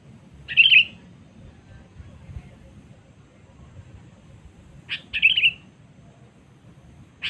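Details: Sooty-headed bulbul 'cengkram' lure call meant to summon rival birds: two short, bright chattering bursts about four and a half seconds apart, separated by quiet with a faint low hum underneath.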